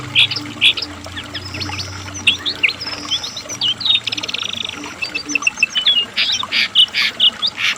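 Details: Asian brown flycatcher singing energetically: thin high whistles and rapid stuttered trills, ending in a series of loud, bright chirps, with a low droning hum underneath.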